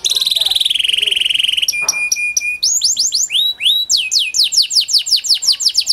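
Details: Kenari panda canary song used to stimulate lazy canaries to sing: a fast buzzy trill, steady whistled tones, then a long run of rapid repeated rising-falling sweeps.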